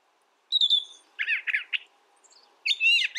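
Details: Brown thrasher singing a clear steady whistle, then a string of three or four rough, rich chirps, and a final loud harsh warble.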